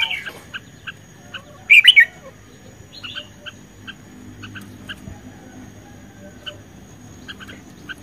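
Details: Red-whiskered bulbul in duel song, May 2020: one loud, sharp warbled burst near two seconds over a background of soft clicking chirps repeated about four times a second.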